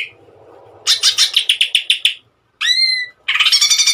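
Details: Greater green leafbird 'tembakan' song used as tutor material: a quick series of harsh chirped notes, a clear drawn-out whistle sweeping upward, then another burst of rapid twittering.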